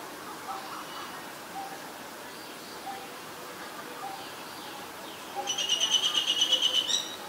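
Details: Female Asian koel giving a rapid, even run of sharp high notes near the end, about a dozen pulses in under two seconds, after faint background chirps and a low hum.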